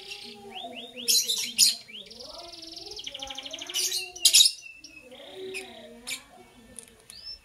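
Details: Lovebird chirping in the morning: bursts of sharp, high chirps and a rapid buzzy trill, with short rising whistled notes between them. A lower, wavering cooing-like voice runs underneath throughout.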